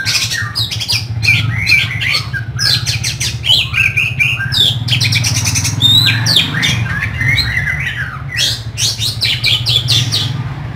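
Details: Oriental magpie-robin delivering rough, busy song meant for training and nerve testing: fast bursts of scratchy, buzzy and whistled notes in tight clusters, over a constant low droning hum.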